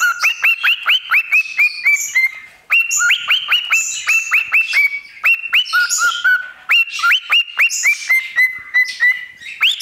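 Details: Pet parrot singing on a microphone. Fast strings of clear, upward-sweeping whistled notes are broken by short pauses and mixed with scratchy, breathy sounds, keeping a lively, uneven rhythm throughout.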